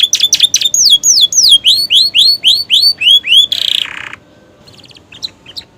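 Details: Romeo canary with new feathers singing a song with prenjak and ciblek imitations: loud, evenly spaced downslurred whistled notes about four per second, ending in a harsh buzzy burst and faint ticks.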